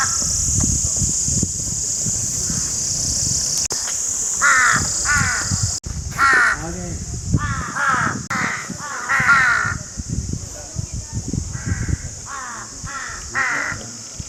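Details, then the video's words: Crows give harsh, hoarse caws in short bursts of two or three with brief pauses, over a steady high-pitched hiss, likely insects. "Crow Birds (Ravens) Sounds Crowing"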